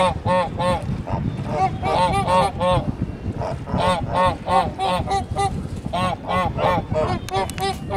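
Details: Farm flock of Kholmogory geese, 1 March 2019, honking continuously: many overlapping nasal, rising-falling honks in quick succession, several birds calling at once over a low background hum.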